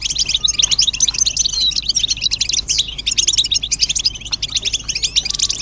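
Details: Collective twittering of European goldfinches meant to excite males into song. Busy, tinkling high notes and quick chirps pour out nonstop, several birds overlapping, over a soft steady hum.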